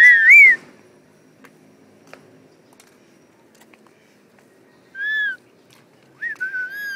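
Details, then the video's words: Talking parrots at home produce a brief wavering whistle at the start, then long silence, followed by two more steady whistled notes, one short and one drawn out with a rising onset. "Talking parrots"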